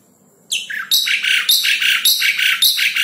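Asian pied starling giving loud, harsh, chattering phrases with bright whistled notes, repeated in quick bursts roughly every half second; no other sounds stand out.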